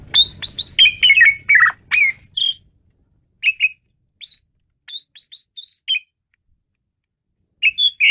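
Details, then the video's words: Asian pied starling singing wildly: a dense opening flurry of loud whistles and harsh slurred notes over a brief low rumble, then scattered single chirps with silent spaces. "jalak suren menggila"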